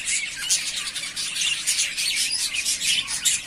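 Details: Three pairs of yellowface spangle budgerigars, ready to breed, fill the air with dense, continuous high chattering: rapid overlapping chirps, squeaks and warbled notes pouring out without pause.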